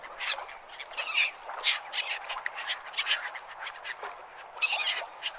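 Gulls give short, harsh squawking cries about every second or so over steady, hissing surf.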